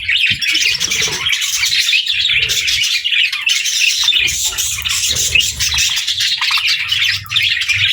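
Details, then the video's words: A group of pet budgerigars with lovebirds, chirping while they eat together: constant, dense twittering and scratchy warbles over eight seconds, with light low rustling beneath. "Funny Budgies Love Birds Chirping Sounds"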